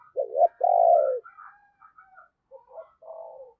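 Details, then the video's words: A spotted dove kept as a decoy coos at morning to call wild birds: a short two-beat note followed by a prolonged, slightly descending hollow coo, then gentler murmured coos trailing after. "cu gáy - Chim Cu Mồi Thúc Và Gáy Gọi Bổi, Dùng Kích Bổi Vào Buổi Sáng Rất Hiệu Quả"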